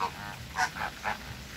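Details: Flamingo giving nasal, goose-like honks, three quick notes within about half a second, over a soft background hiss.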